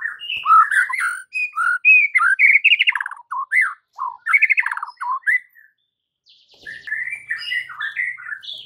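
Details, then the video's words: White-rumped shama song meant to make rival birds angry: rich, continuous varied phrases of whistles, trills and chattering notes, a short pause, then more warbling. "PANCINGAN Murai Batu yang bikin lawan Langsung NGAMUK & EMOSI TINGGI seketika"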